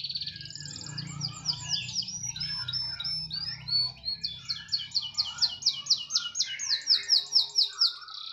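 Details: Canary singing loudly, rapid warbles leading into a long evenly repeated series of bright trilled notes, with a low mechanical hum in the background.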